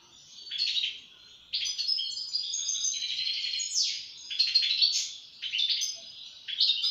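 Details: European goldfinch delivering a rapid, varied twitter: jangling high notes, quick trills and a down-slurred whistle, in phrases about a second apart, quiet room-like background.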